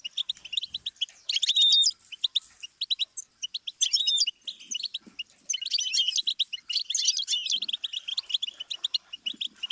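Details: Goldfinch song used as a stimulus for teaching songbirds: rapid high twittering with tinkling and buzzy notes, bursts of dense trills separated by brief pauses, some clear whistled slurs.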